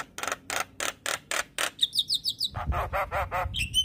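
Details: Morning training lure of a Javan myna: rhythmic harsh rasping notes about every quarter second, then a burst of high whistled chirps, followed by grating squawks over low background rumble.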